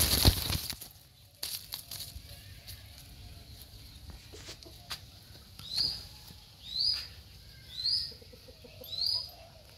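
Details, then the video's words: Rufous-winged buzzard giving four high, upslurred whistled notes at roughly one-second intervals after a stretch of rustling and handling noise. "RRufous-winged buzard"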